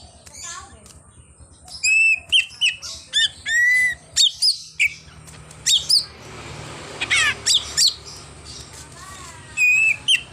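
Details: Greater green leafbird singing in the full-mimicry 'isian' style, which includes a car-horn imitation: rapid bursts of sharp, sweeping whistles and rising chirps, then a quieter pause before more loud slurred notes; faint background hum.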